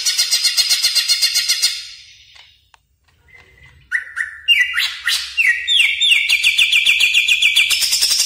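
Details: Song of a greater green leafbird, a master track for caged birds: a loud buzzy trill fades, then a series of upward-sliding whistles repeated roughly every half second builds into a continuous rapid high trill.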